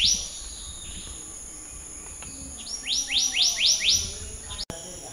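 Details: Black-naped monarch song: five loud upslurred whistles delivered quickly and evenly, after an opening note and a quiet gap. A high continuous hum runs throughout.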